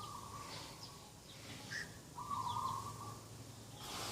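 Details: Dove calling in the morning beside a garden on 2 October 2021: a steady, level, slightly fluttering coo near the start, then a longer, louder trilled coo mid-clip, with faint chirps of other birds and a low background hum.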